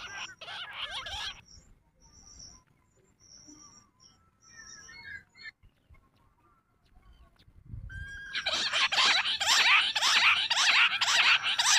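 Jungle bush quail break into a loud, dense chorus of high, rapid, scratchy calls repeated about twice a second, after a quieter stretch of faint chirps and thin whistles.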